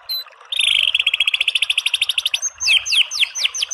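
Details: White-rumped shama song for masteran, aimed at rousing a bird to sing: a long, very even rattle of fast repeated notes, then several steeply falling whistled slurs.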